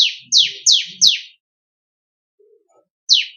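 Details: Bar-winged prinia (ciblek kristal), one of four song variations used as master recordings for training songbirds: four quick, loud, descending high chirps in a row, a long silence, then one more chirp, with faint low murmurs.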